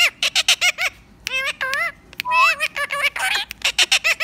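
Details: A rose-ringed parakeet talking: bursts of speech-like mimicry in a high, nasal voice. The syllables rise and fall in pitch, with short sharp notes between them, close and clear.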